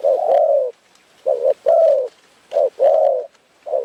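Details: Spotted Dove at a Phrae, Thailand trapping site, crowing while the team waits; drawn-out low mellow coos alternating with short notes, spaced by gaps of about half a second.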